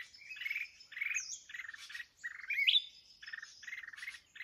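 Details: Red-whiskered bulbul, a mountain bird, during trapping with a decoy bird: harsh buzzy notes in short bursts, with a few sharp upslurred whistles between them.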